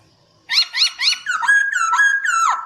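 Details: Brief gacor phrase from a white-crested laughingthrush master recording for training birds: after a moment of quiet, three quick rising notes, then a flowing run of overlapping whistled slurs.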